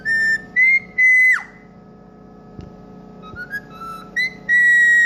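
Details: Home-kept green ringneck parrot imitating a song by whistling: loud sustained whistled notes, one ending in a sharp downward slide, a pause with soft clicks, then quieter stepped notes rising into a long level whistle; low household hum throughout.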